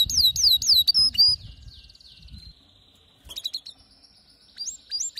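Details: Male canary song, described as ferocious and lyrical: rapid repeated high whistled notes sliding downward, then a brief pause and further sharp rising trills, with faint low background rumble.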